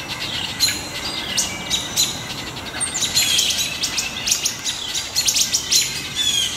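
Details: Several birds mob a young great horned owl near a nest site in woodland on July 6 2019, a wood thrush among them, giving dry, staccato pit calls in quick clusters with short pauses between.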